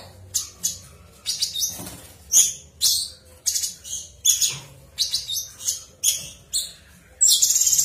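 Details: Ngebren song of a cucak cungkok: about a dozen bursts of high, scratchy chattering notes, each lasting a fraction of a second and separated by brief pauses, ending in a rapid buzzy trill.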